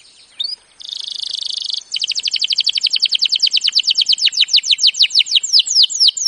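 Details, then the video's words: Canary singing a training song: a single rising whistle, a flat buzzy trill, then a long rolling series of crisp repeated notes that gradually slows into separate upslurred whistles. "Birds song Canary ❗suara Burung Kenari"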